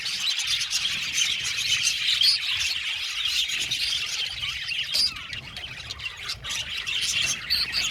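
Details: Aviary colony of some seventy budgerigar pairs giving rapid, overlapping chirps and warbles, a busy high chatter with occasional louder sharp squeaks standing out.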